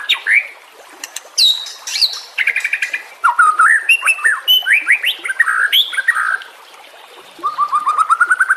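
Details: White-rumped shama song used as a master recording for training other songbirds: varied loud whistled phrases, rising and falling slurs, rapid chattering trills and a closing run of quick repeated notes climbing in pitch.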